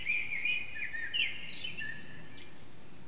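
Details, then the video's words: Eurasian blackbird in early-morning song around 4:30am, unseen, echoing backyard, phone-recorded: a short continuous fluty warble sliding between notes, with faint high squeaks toward the end. "Blackbird's morning song"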